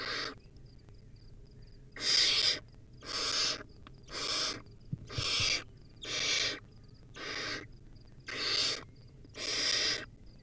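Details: Young wild barn owl at the nest with a rodent meal, recorded by a live stream camera. Eight rasping, hiss-like screams repeat roughly every second, each broad and noisy, with faint high ticks between them.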